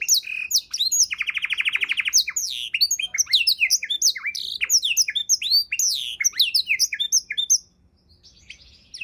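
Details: Canary tutor song for training songbirds: a buzzy rolled trill, then tumbling high whistled sweeps and chirps, fading into quiet near the end.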